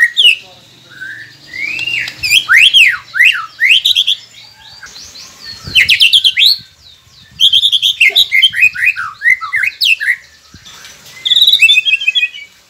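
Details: Prompt recording of white-rumped shama song for quiet captive birds: long, varied bursts of rapid sweeping whistles and chattering notes. Each dense phrase lasts a few seconds, with brief gaps between them.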